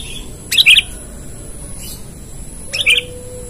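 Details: Sooty-headed bulbul calling rivals, used as a lure: two short bright chirped notes, a pair near the start and another after about two seconds, over a steady low background hum.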